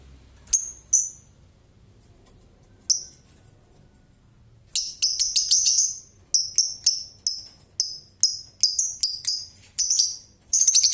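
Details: Lovebird in ngekek chatter, a few isolated shrill notes and then a long sequence of fast, piercing, high chattering bursts about twice a second.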